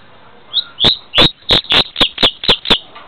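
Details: Double-collared seedeater in Niterói, Rio de Janeiro, Brazil, taped on a device described as giving very poor audio: a run of about nine sharp, high chipping notes, roughly four per second, loud, clipped and distorted.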